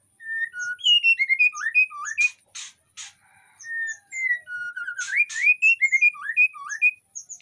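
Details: White-rumped shama in breeding condition, kept in an Indonesian aviary, luring other shamas with song: fast tumbling whistled notes, two bursts of harsh scratchy rasps mid-phrase, then more lively whistling.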